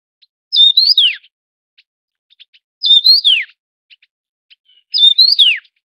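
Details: Taiwan yuhina, a bird endemic to Taiwan: three identical loud whistled phrases about 2.3 seconds apart. Each has a short flat note, a quick rising twist, then a long descending slur, with soft ticks between phrases.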